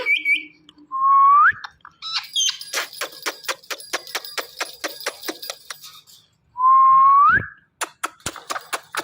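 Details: Indian ringneck parrot calling "Mithu": two clear rising whistles about five seconds apart, with rapid clicking pulses and harsh noisy bursts between them.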